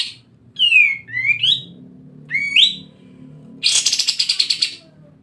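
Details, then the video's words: Excited sooty-headed bulbul, used as bait audio to prompt other birds to sing, gives clear rising whistled notes, two close together then one more, followed by a harsh, rapidly pulsing rattled burst lasting about a second. "BURUNG KAPAS TEMBAK NGEBREN OVER EMOSI"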